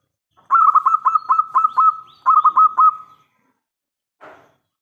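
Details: Local zebra dove, a loud-voiced bird singing actively, used as a lure so other doves answer: two quick series of staccato cooing notes, about eight then five, steady in pitch and ending in a drawn tone, with a soft rustle after.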